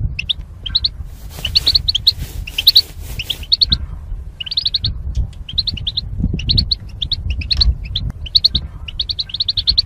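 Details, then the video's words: Caged goldfinch pairs used to train singing: lively, fast twittering chirps in short rippling phrases, nearly continuous, with a brief hiss early on and low rumble throughout. "Goldfinch Chirping Sounds to Stimulate Birds"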